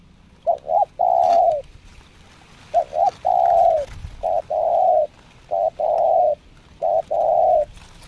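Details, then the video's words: Spotted dove trained as a decoy bird during its second training session, cooing in the nekan nguku, selang nguku and Meratus nguku styles: four phrases, each one or two short clipped notes and then a long, full coo, spaced about two seconds apart. "COBRA NEKAN NGUKU,SELANG NGUKU MERATUS NGUKU ( Latihan Kedua)"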